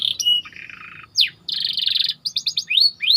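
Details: Training song of a white canary, packed with varied phrases: high whistles, a buzzy roll, a sharp rising slur, a dense rapid trill and quick chirps ending in upward sweeps.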